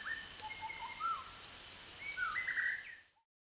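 White-rumped shama giving a string of clear, varied whistles, first low and rising, then higher and slurred, over a steady high insect hiss.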